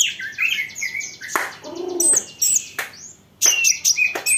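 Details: Olive-backed sunbird singing to draw replies from other sunbirds: high buzzy twitter at first, then brief clicks, a faint low warbled phrase, and sharp piercing high chirps in stop-start bursts.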